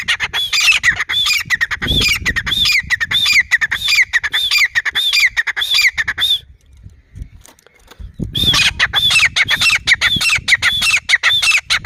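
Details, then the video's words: Grey francolin calling: loud, harsh, ringing notes repeated rapidly in a steady rhythmic series, a brief quiet pause near the middle, then the series resumes just as strongly; no other clear sounds. "teeter boli Grey francolin sound"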